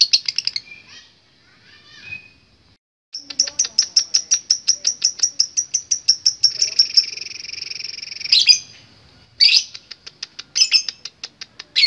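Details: Lovebird chatter opens with brief scattered chirps, then breaks into a rapid high rattling ngekek for about five seconds, ending in short bursts of harsh chattering notes.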